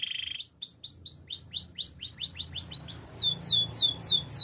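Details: Active canary song for training: a short low roll, then a long evenly paced series of downward-swept whistled notes, finishing with higher sweeping notes.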